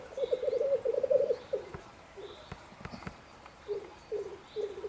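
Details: Lekking male black grouse in Germany's Bavarian Forest, spring courtship: a low, fast bubbling roll opens, followed by short gurgling fragments separated by quiet pauses, with faint clicks in the background.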